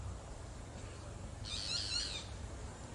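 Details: A single nasal, grating, high-pitched call of a boat-billed flycatcher lasting under a second, preceded by low background rumble.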